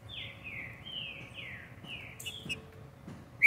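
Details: Green-winged saltator singing while perched on a person's hand: a string of about six clear whistled notes, each sliding downward, delivered steadily with a faint background hum and a brief click near the end.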